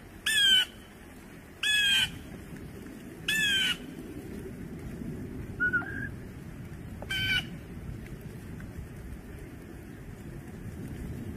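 Blue jay giving harsh, raspy jeer calls, four loud screams spaced about every one and a half seconds, with one soft whistled note between, over steady low background noise.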